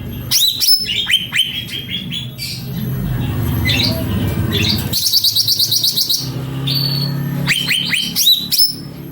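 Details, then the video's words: Cucak ranting (grey-bellied bulbul) in full song: bursts of quick rising whistled notes at the start and end, separated by a noisy stretch, with a fast high chattering run near the middle. "Burung Cucak Ranting Gacor Pol"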